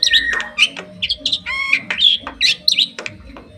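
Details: Bali myna on its owner's hand in Bali, 2023: lively bursts of high whistles and chirps, including a buzzy harmonic note, with short pauses between phrases.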